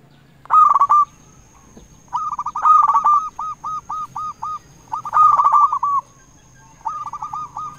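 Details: Zebra dove of a local strain, a lure call meant to make rival birds answer: four rolling phrases of quick, even cooing notes, one ending in a run of separate short coos, with a thin steady high tone behind.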